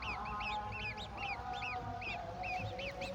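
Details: Golden oriole feeding its babies a mantis; quick bent chirps, often doubled, repeat irregularly against a steady humming drone and background noise.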